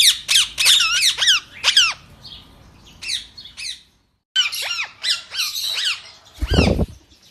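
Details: Indian ringneck parakeets of yellow, blue, white and grey colours at feeding time, giving loud shrill squawks in rapid overlapping bursts, with a short pause midway and a low knock near the end.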